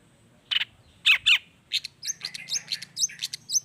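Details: Long-tailed shrike song rich in imitations of other wild birds: a few harsh rasping notes open, followed by a fast series of thin high upslurred chirps.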